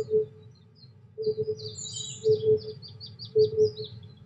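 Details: On an overcast 23°C day with white admiral butterflies on the wing, an Oriental cuckoo gives paired low hooting notes roughly every second, while other birds add high, sweeping twittered phrases above.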